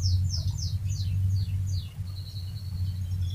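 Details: Canary's rolling lure song for prompting other canaries: several downward-sliding chirps, then a long, steady high whistled note, with a strong low drone throughout.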